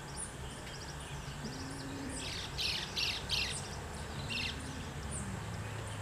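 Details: Social flycatcher (Myiozetetes granadensis) in Costa Rica giving harsh, squeaky chattering notes in a quick burst midway, with fainter high chips around it over a low background rumble.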